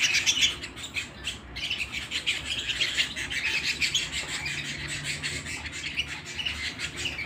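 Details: ['Canary singing at home: a dense, fast run of high chirps and trills with brief pauses, the rapid notes bunched into bright, rattling phrases throughout.']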